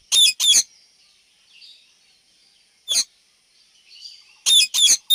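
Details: Rose-ringed parakeet (Psittacula krameri), calls.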